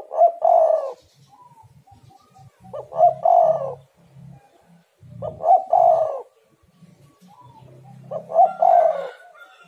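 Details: Spotted dove calling as a lure for reluctant doves. Four throaty coo phrases come about every two and a half seconds, each a stuttered lead-in and longer soft coo, with low murmuring sounds between them.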